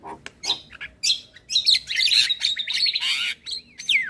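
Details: Male Javan myna singing a full, varied song used to train young mynas: harsh buzzy bursts mixed with bright whistles around mid-high pitch, a dense chattering run in the middle, and a rising then falling whistle at the end.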